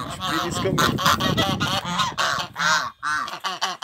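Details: A pair of African geese kept for alarm and guarding on a farm honk rapidly, about two and a half harsh calls a second, some rough and nasal, over faint low background noise.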